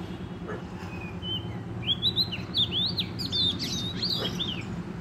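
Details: Vigorous song of a wild forest Oriental magpie-robin: after a quiet start, a burst of bright whistled swoops and crisp rapid notes builds and continues to the end, faint low rumble behind.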